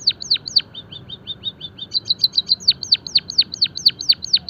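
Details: Java sparrow song used for finch song training: loud falling chirps, a run of softer quick ticks, then a long steady series of bright chips and descending sweeps at a fast, even pace.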